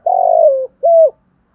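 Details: Spotted dove using the fast 'kích bổi' singing style: one long, steady coo that drifts slightly lower, followed after a short gap by a crisp, level coo.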